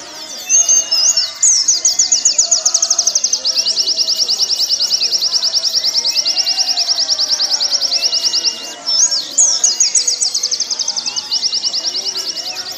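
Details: Warbling white-eye song used to train caged birds: a long, rapid, high trill of tight repeated notes that breaks off briefly and then starts again with a few higher twittered notes.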